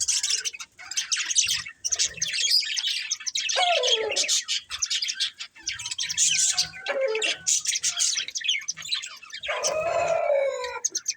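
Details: Two budgerigars, a breeding pair, chatter nonstop in busy high chirps and scratchy twitters, broken by a few lower, drawn-out squawking notes that slide downward.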